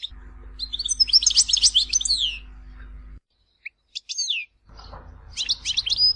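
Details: Goldfinch from Tizi Ouzou, Algeria, singing its full-phrase local song used to tutor chicks. Dense jumbled twittering and slurred notes over a low hum, a short quiet break with single chirps, then another twittering burst.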